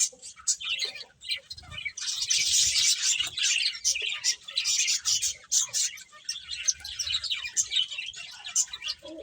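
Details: Several finches chirp while eating, a dense ongoing chatter of high, rapid tweets that swells in the middle and then stays busy, with soft low thuds in the background.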